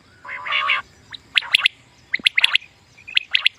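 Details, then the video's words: Common quail sounds for hunting: a buzzy, nasal burst opens, followed by sharp clicking notes and short high whistles in small groups, with pauses between. "Common Quail Sound | For Quail Birds Hunting | Batair Ky Shikar ky Liye Batair Ki Awaz"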